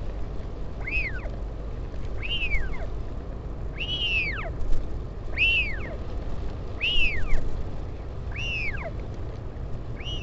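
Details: Taiaroa Head colony near Dunedin, New Zealand, 16 July 2019: northern royal albatross, parent visiting chick. A steady series of seven arched, whistled notes that rise briefly then drop steeply, about every one and a half seconds, with wind rumbling underneath.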